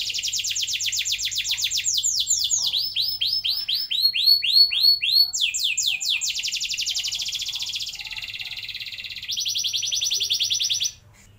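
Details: Song of a domestic canary used as a lure to get young canaries singing long rolls quickly: continuous rapid high trills, shifting through rising and falling repeated notes, buzzy rolled passages and long sustained trills, with a faint low hum beneath.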